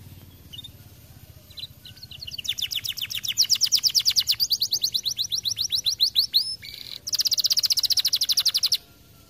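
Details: Energetic canary song building from scattered high chirps into long rapid trills of sharp repeated notes, shifting pitch midway, with a bright fast rattling phrase before ending abruptly.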